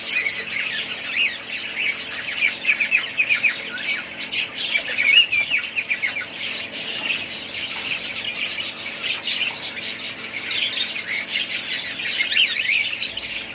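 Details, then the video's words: Several pet budgerigars in a family group keep up a steady, busy chatter of quick high chirps and warbling notes, rising and falling in loudness without pause. "family budgies parrots"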